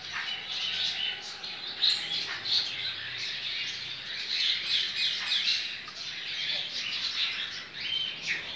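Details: Captive double-collared seedeater held by a licensed breeder, singing in the coleiro baiano style, recorded 23 November 2019: a dense, continuous run of bright chirps and buzzy trills with quick rising and falling notes, a few sharper accents throughout.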